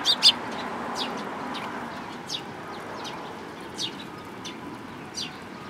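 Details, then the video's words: Two loud, sharp chirps open this stretch, followed by sparse, quieter chirping from sparrows, including a tailless bird, at a Tenmangu shrine in Japan, recorded 13 April 2022. "可愛いすずめ達 尾なし雀君"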